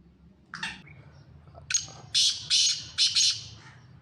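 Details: Black francolin (Kala Teetar), a Sindhi bird offered for sale, calling: a loud, harsh, grating call of a short scratchy note, then four rasping bursts in quick succession over a faint low background hum.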